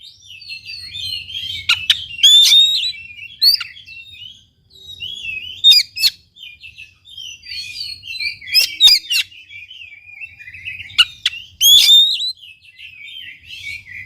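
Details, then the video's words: Oriental magpie-robin (kacer) song played to prompt a lazy bird to sing: rich, varied warbled phrases mixed with sharp ticks, delivered in bursts about every three seconds with short pauses between. "KACER GACOR||PACINGAN &MASTERAN KACER MALES BUNYI"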